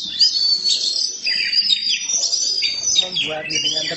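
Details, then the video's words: Black-form Oriental magpie-robin (kacer hitam), a kept bird, singing vigorously: rich, high whistled phrases with rapid warbles and slurred notes running continuously, with faint low background murmur. "Kacer hitam gak pernah malu untuk gacor nie"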